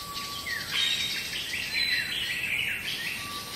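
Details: Black bulbul, a noisy bird of broad-leaved forests, cultivation and gardens, giving a series of mewing, slurred calls that rise and fall over about three seconds, with a faint steady insect-like whine in the background.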